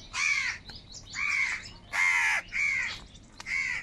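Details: Angry crows fighting for food: five loud, raspy, slightly drawn-out caws in quick succession, filling the air with grating calls.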